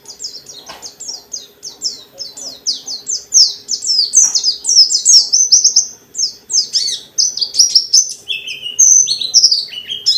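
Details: Long unbroken 'ngalas' singing by a pleci dakun white-eye meant to spur others to sing: a brisk string of high descending chips building into richer varied phrases with occasional lower swooping notes.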